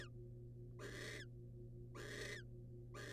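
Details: A male barn owl brings prey to the female, wild birds: harsh, breathy screeches in short bursts, two full calls plus the edges of others, about one a second, above a low continuous hum.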